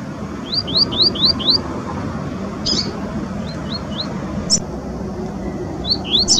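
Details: Double-collared seedeater (Sporophila caerulescens) singing in the wild: quick bursts of thin, rising whistled notes, five in a rapid run, then shorter sets after pauses, over a low background rumble.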